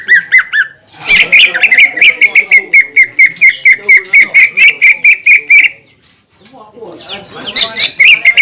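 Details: Greater green leafbird singing to provoke other leafbirds: a long, steady stream of rapid, buzzy chirps at a nearly even pitch for about five seconds, followed by a brief pause and a scratchy closing phrase.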